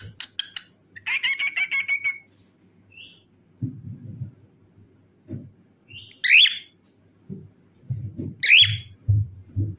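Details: A singing, dancing cockatiel gives a fast trilled whistle, a short high note, then two loud upslurred screeches, while soft thumping sounds, likely from its dancing, punctuate the background.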